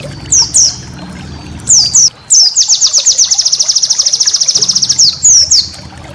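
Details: White-eye song used as a tutor recording for training cage birds: high, sharp descending whistled notes, then a long, very fast even trill lasting about two and a half seconds, closed by more downslurred whistles over faint low hum.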